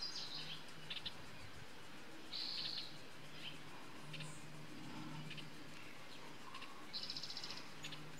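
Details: Costa's hummingbird gives sharp, high tik notes and a few short buzzy, sizzling bursts at uneven intervals, heard against a constant low droning background.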